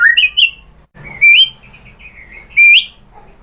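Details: White-rumped shama song played as a lure to provoke a caged shama to answer: a few loud rising whistles separated by pauses, with a softer wavering whistled trill between them.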